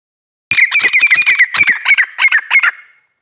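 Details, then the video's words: Female grey francolin calling: a rapid series of about a dozen harsh, squeaky notes, each with a thin whistled sliding tone, delivered in a quick, uneven run lasting over two seconds, loud and close. "female teetar ki awaz"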